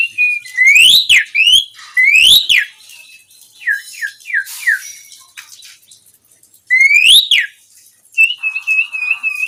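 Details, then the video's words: Asian pied starling singing, recorded as master song for training birds: repeated loud rising whistles ending in sharp upward sweeps, several short downslurred notes between, and a trilled wavering whistle near the end. "Suara burung Jalak gacor"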